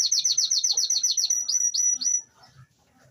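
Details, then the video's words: Spanish canary singing happily after waking: a fast rolling trill of repeated high downswept notes, about four per second, then a few longer sweeping phrases before fading into quiet soft rustles. "Canário Thor espanholzinho, acordou feliz."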